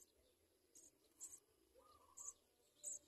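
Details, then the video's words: Baby house sparrows in the nest calling for food: thin, high, sharp chirps repeated about every half second, with fainter lower notes in the background. "House-sparrow birds watch baby cry baby food"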